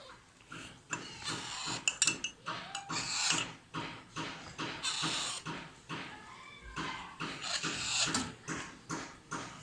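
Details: Alexandrine parakeet chicks calling during feeding, giving rapid rhythmic bursts of rough, breathy rasping that pulse several times a second in uneven runs, with brief pauses between bouts.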